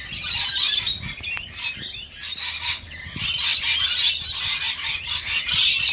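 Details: Rainbow lorikeets being fed, a flock giving dense, harsh screeching and squealing calls that overlap continuously, with brief dips in loudness between bursts.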